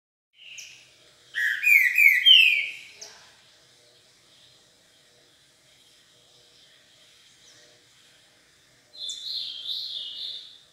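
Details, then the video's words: A green-winged saltator warming up its song gives a loud, rich two-second burst of whistled and slurred notes, a quiet pause, then another shorter phrase. "Trinca ferro. esquentando"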